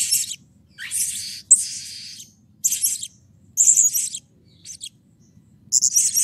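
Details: Blue-crowned hanging parrot giving lure calls meant to stir other hanging parrots into song. Piercing, scratchy high squeals come in irregular bursts, some doubled, with short gaps between and a soft low background hum.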